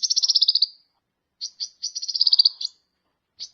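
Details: Sunbird singing for a songbird training recording: a fast, high rattling trill, a pause, a couple of short chirps, then another buzzy trill and a final note.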